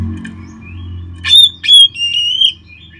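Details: Oriental magpie-robin whistling to provoke singing in kept birds: two sharp high notes followed by a long, steady, clear whistle that fades out, with faint low hum underneath.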